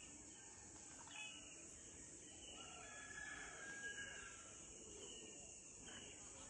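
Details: Yellow-footed green pigeon at Block Road, Titabar, giving soft, mellow whistles that rise and fall in a few wavering phrases, over a steady high insect hiss.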